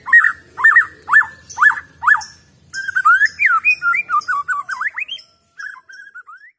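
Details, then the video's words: Original wild-caught white-rumped shama singing. Loud whistled song that opens with a repeated rising-falling phrase about five times, then shifts to a varied run of slurred, rising and falling whistles with faint high twittering above, ending in short notes. "Suara Glondongan Asli Murai Batu Bikin Emosi"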